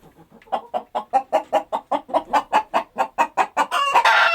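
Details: Chickens clucking gently and rhythmically on a countryside farm: a steady run of short, clipped clucks about two or three per second, growing louder, then ending in a burst of harsh rustling noise.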